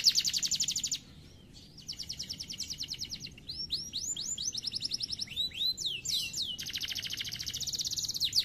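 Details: Canary singing high, rapid rattling trills of evenly repeated notes, broken by a brief pause, then a run of sweeping, slurred swoops before another fast, steady trill.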